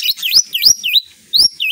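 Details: A tame, free-flying pet rainbow lorikeet that can unclearly mimic human speech gives a quick run of shrill, swooping chirps and whistled notes. They are high and sharp, in short bursts lasting under two seconds.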